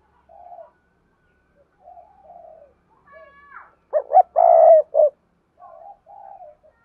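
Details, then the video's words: Decoy spotted dove calling to lure wild doves. Soft coos from other doves come before a loud phrase of two short notes and a long croo, with a brief higher whistled note just before and more faint cooing after. "tiếng cu mồi thúc bổi và gáy gọi hay// Tiếng cu gáy mồi chuẩn kích bổi nhanh nổi"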